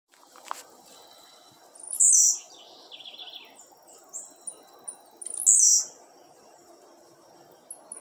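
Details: Captive Blue-black grassquit set outdoors on a Tuesday at 5:15 in the afternoon, giving two loud, very high, buzzy descending notes about three seconds apart, with faint thin chips between them.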